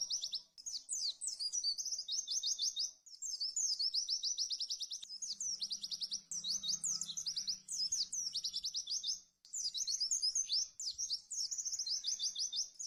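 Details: Fast, high-pitched white-eye song meant for tutoring other birds. Rapid runs of sharp chattering notes and quick slurred whistles repeat almost without break, interrupted by a few short gaps.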